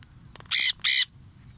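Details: Free-flying Triton cockatoo: two harsh, broadband screeches about a quarter second each, one after another, loud over quiet outdoor background.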